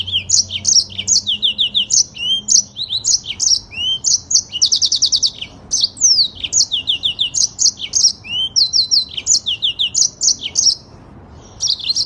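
A yellow-fronted canary sings a fast, unbroken song of high trills, buzzy rolls and sweet whistled slurs, phrases packed tightly together with barely a pause.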